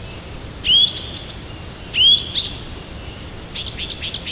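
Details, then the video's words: Siberian songbird singing in the morning near Tomsk, a song of many varied verses: a high thin whistled phrase with a falling slur and a rising sweep, repeated three times about every 1.4 seconds over soft steady hiss. "Послушайте как поёт сибирская птичка!"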